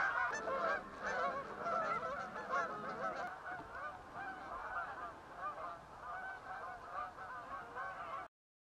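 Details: Canada geese flying off towards Dunkery Beacon on the Exmoor Hills, West Somerset, around the autumn equinox; a busy chorus of overlapping honks that slowly fades as the flock moves away, then stops abruptly.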